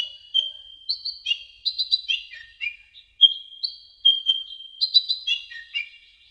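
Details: Brown-throated sunbird song for training cage birds: energetic, jumbled twittering of high chirps and downslurred notes over a thin continuous whistle, in quick successive phrases.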